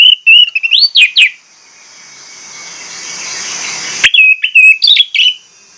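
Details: Orange-headed thrush used as a lure to set off other birds: loud, rapid bursts of clear whistled notes with quick rising sweeps, in two bursts separated by about three seconds of soft hiss.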